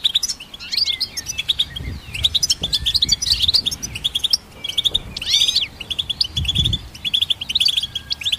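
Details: Twittering goldfinch hybrid song meant for songbird training: quick chirps, wavering whistles and buzzy rolls, a loud sweeping flourish around five seconds, soft low knocks in the background.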